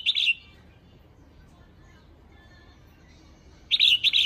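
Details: Female red-whiskered bulbul call used to rouse males: a bright note ends at the start, then silence, then a fresh phrase of two quick whistled notes near the end.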